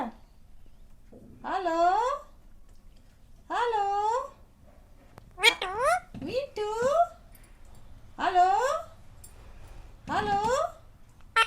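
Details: Pet rose-ringed parakeet (ringneck) indoors, hungry and asking for food in human words: a series of drawn-out, nasal, speech-like phrases, each about a second long, separated by short pauses.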